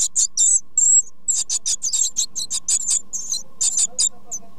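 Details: Great tit chicks begging while their parents feed them: a loud, rapid chorus of very high, hissing squeaks in quick bursts, nearly continuous, with a faint low hum underneath.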